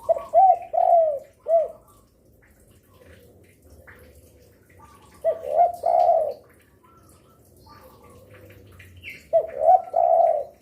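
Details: Spotted dove singing persistently, said to call day, afternoon and night, used as a lure for other doves; three low cooing phrases, each a short coo followed by longer rolling coos, spaced a few seconds apart, faint background chirps.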